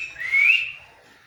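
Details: Single rising whistled meow from a parrot imitating a cat, swelling and then fading within about a second.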